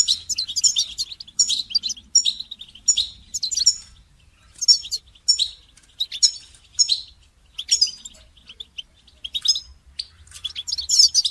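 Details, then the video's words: Goldfinch song for songbird training, made of repeated bursts of bright, rapid twittering, each under a second, recurring roughly every second with short gaps. "goldfinch song training"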